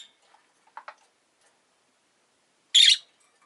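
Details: Rosy-faced lovebird letting out one loud, rasping chirp near the end, after a few faint soft clicks.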